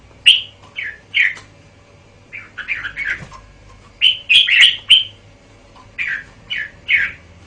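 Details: Red-whiskered bulbul song of crisp, bouncy whistled phrases in short bursts, a fast cluster in the middle, then three evenly spaced notes to close.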